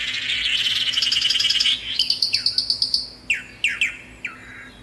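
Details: Swallow-tailed manakin (Chiroxiphia caudata) song: a high, buzzy trilled phrase lasting about two seconds, then a string of sharp, quickly falling whistled notes.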